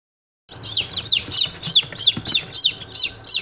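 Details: Day-old chicks, Australorp, chirping: loud, clear peeps that slide downward, repeated about three times a second in a steady series after a short silence, with low background rumble.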